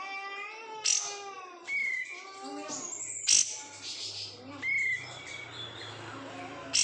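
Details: Caged oriental white-eye, hand-raised from a bulk-caught batch, singing varied high chirps, short whistled slurs and sharp bursts, mixed with lower harmonic warbling notes in the opening seconds.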